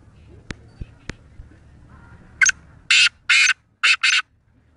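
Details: Sindhi black francolin (kala teetar) from Pakistan giving one harsh, rasping phrase of five grating, buzzy notes in quick succession, the middle ones longest. A few sharp clicks and a low background hum come earlier.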